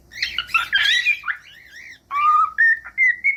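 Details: Short cockatiel passage: a noisy chattering burst, then a wavering whistle and three level whistled notes stepping upward.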